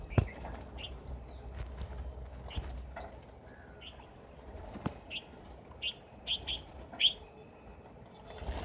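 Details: Rosy starling in winter giving short, harsh chirps in quick bursts, strongest toward the end, with a few wing flutters over a low background rumble.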